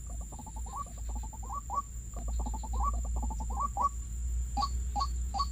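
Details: White-breasted waterhen calling, locally ruak-ruak, during a bird-trapping outing: a rapid series of short, rising, hooting notes, several per second in bursts, then three spaced clipped notes near the end; constant low hum and a steady high whine.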